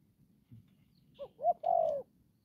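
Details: Quieter phrase from a spotted dove used as a trapping decoy, Đồng Pha style: two short rising notes leading into one long falling coo over faint low background rumble.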